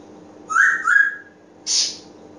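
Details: Pet African grey parrot indoors making two short whistled notes followed by a harsher, breathy squawk, with a low hum in the background.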